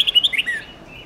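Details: Red-whiskered bulbul song, a long multi-note song type called 'âm 7-8-9-10', played to train young birds to learn songs. A quick burst of clear, sharp whistled notes jumps up and down, then ends in a softer trailing note over a quiet background.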